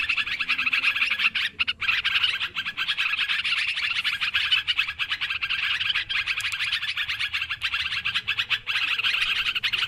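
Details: Long stretch of noisy yellow-vented bulbul chattering from a bird-trapping lure recording, a dense continuous wash of quick bubbly notes with only two brief breaks early on.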